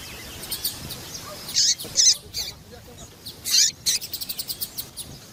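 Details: Female papa-capim (seedeater) calling to excite males and get them singing; brief high chirps in scattered bursts, then a quick run of repeated short notes near the end, over a faint background hiss.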